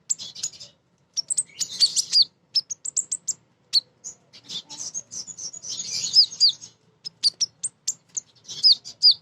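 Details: Female kolibri ninja sunbird in full voice, played as a lure for young birds: continuous high, sharp chittering and twittered phrases with quick rising flicks, in almost unbroken bursts.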